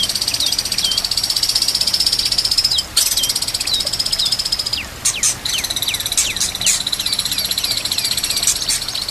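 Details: White-rumped shama song used as a training track, with rapid repeated high trills and sweeping whistled notes, sharp downslurred chirps, over a steady background of nature sounds and trickling water.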